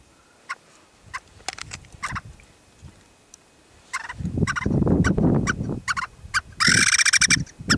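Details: A male white-tailed ptarmigan displaying with flutter flight near a ridgetop near Sunrise, Mt. Rainier National Park, gives a harsh, rapid cackle of grating notes after scattered clicks and low rushing of wind or wingbeats.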